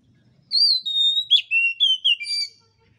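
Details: Oriental magpie-robin singing as a training lure for kacer not yet in full voice: a clear, loud phrase of long whistled notes that drift and step downward, broken by a brief harsh note, lasting about two seconds in quiet surroundings.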